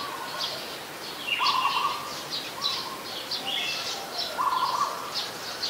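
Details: Streak-eared bulbul in Ubon Ratchathani, Thailand, 22 July 2022, a very common resident; busy chorus of short, sharp, high chirps over lower, buzzy, trilled phrases that recur every couple of seconds, with other birds mixed in.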